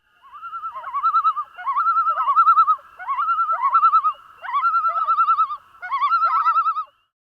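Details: Common loon (Gavia immer) gives its quavering, laughing tremolo call, likened to maniacal laughter, in five rapid wavering bursts about a second each, with a second loon faintly answering.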